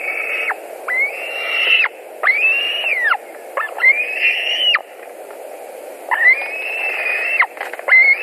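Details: White-tailed eagles at the nest in Latvia, 21:09 on 11 July 2020, as one comes back for dinner: loud, harsh-edged arching whistles, each about a second long, repeated in quick succession with short gaps, over a low hum.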